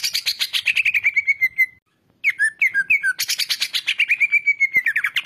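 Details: Greater green leafbird singing in a master training recording: fast, dense chattering trills that fall into a sustained whistle, a brief pause, several looping whistled notes, then another long burst of bright chatter ending on a whistle.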